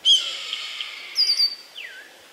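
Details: Red-tailed Hawk calling from a tree in spring, thought to be announcing that people are nearby: a hoarse, drawn-out, slightly falling scream, then a thinner high note and a short downslurred cry.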